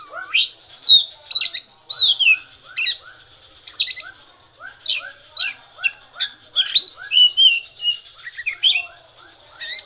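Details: Oriental magpie-robin giving konslet song, regular bursts of sharp high chips and twisting whistles roughly every second, over faint, soft, repeated lower calls.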